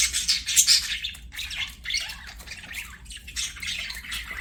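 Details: Budgies singing while playing: a dense chorus of overlapping chirps, squawks and scratchy warbles from several birds, continuous with brief louder bursts, over a low steady background hum.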